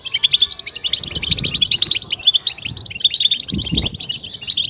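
European goldfinch singing a fast, unbroken stream of high, tinkling twitters mixed with buzzy notes. A few soft low thumps are heard in the background.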